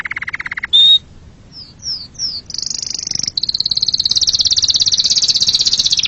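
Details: Canary song with a short low trill, one sharp whistle, a pause, several downslurred whistles, then a long high buzzy trill.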